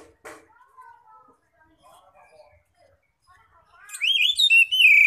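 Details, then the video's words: Oriental magpie-robin ngeplong song meant to draw in other magpie-robins: several seconds of faint, soft warbling notes, then a sudden loud, bright whistled phrase that rises and falls near the end. "pancingan Kacer bikin gacor"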